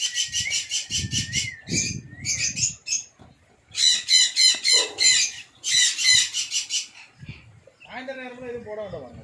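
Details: An adult male sun conure gives loud, harsh, grating screeches in rapid bursts.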